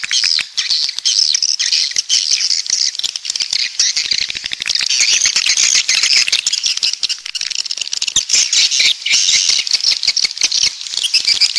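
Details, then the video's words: Swiftlets from the south, a coastal swiftlet call: continuous dense high twittering and squeaky chirps, layered with constant rapid clicking and rattling throughout. "Suara Walet Pantai Dari Selatan"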